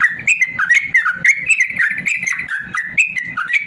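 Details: Yellow-vented bulbul in long rapid-fire song, used to train lazy caged birds to sing: a fast, unbroken stream of bubbly, warbled whistled notes rising and falling, with soft low thumps beneath.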